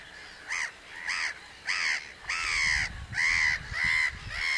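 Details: Common crane calling in a series of seven loud, arched trumpeting notes about every 0.6 seconds. The later notes are longer and steadier, over a faint low rumble.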